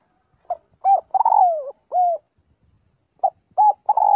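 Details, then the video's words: Spotted dove calling the flock, practising its voice each day: a short note, a rounded coo, a long sliding coo that drops away, and a final arched coo, then a fresh series of clipped coos begins. "tiếng chim cu gáy gọi/chim cu gáy gọi bầy luyện giọng mỗi ngày"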